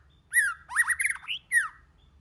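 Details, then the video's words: White-rumped shama singing in many voices, used to stimulate other shamas to sing: a falling whistled note, then a jumbled burst of harsh, buzzy notes rising in pitch, and a final slurred descending whistle. "Kích Chòe LửA HóT,chòe lửa hót nhiều giọng"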